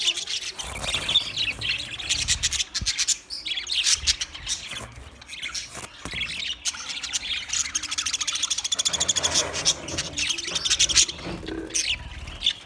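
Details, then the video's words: Twenty budgerigar pairs chirping together in a continuous flock chatter of high, scratchy warbles, squawks and clicks, rising and falling in loudness over several seconds. "20 Budgie pairs chirping sounds"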